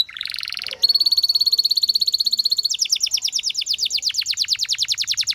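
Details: Canary singing a long rolling trill: a brief buzzy opening, then a rapid steady rattle of high notes, shifting into a faster series of descending whistled pulses.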